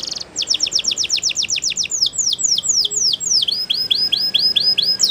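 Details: Waterslager canary training song made of repeated falling whistled strokes, first fast and close, then slower and lower, followed by lighter rising-falling notes.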